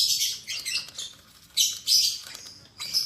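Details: Albino MM male and lutino MM female lovebird, newly paired in a cage: rasping, high chirps in clustered bursts, a long one at the start and three louder squawks later.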